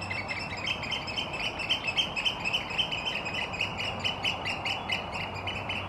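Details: In April 2022 in Helsinki, Finland, competing Eurasian oystercatchers settle a territorial dispute with a piping display, necks stretched stiffly forward and walking side by side: loud, shrill, rapid piping notes, three or four a second, from several birds together.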